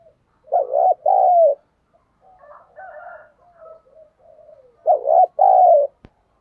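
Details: Caged decoy spotted dove kept for luring wild birds, giving a loud two-part coo, quiet murmuring notes, then the paired coo again about four seconds later.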